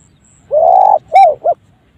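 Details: Spotted dove with an odd, unusual call: a long, flat, hoarse coo, a short gap, then two brief rounded coos, the middle one strongest.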